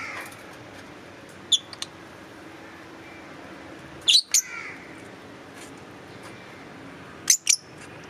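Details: Green Fischer's lovebirds chirping: sparse, shrill high chirps, single or in pairs, a few seconds apart, with long quiet gaps and a low steady hum.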